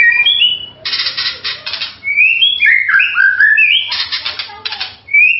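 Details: A White-rumped shama's sweet tutor song mixes bright looping whistles with dense buzzy rattling bursts, then a long run of sliding, warbled whistles and a last rising note.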